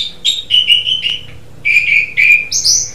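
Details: Song of an Asian pied starling (jalak suren) as birdsong training material: clear whistled phrases strung together, a few falling slurs, a short gap, then rising buzzy notes sweeping higher to close.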